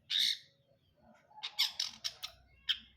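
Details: Long-tailed shrike, brundol style, opening with a drawn harsh squawk, then a quick sequence of scratchy clipped notes and a final sharp call.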